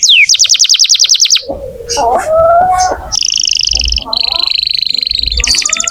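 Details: Canary song used to prompt young or silent canaries: a rapid trill, a stretch of lower mixed warbling notes, then steady buzzy rolls at two pitch levels, with low background rumble.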